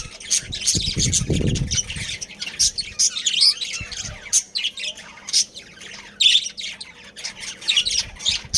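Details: Budgerigar colony bred in captivity: busy, scratchy chattering of many high chirps and squawks, with a low rumbling thump near the start.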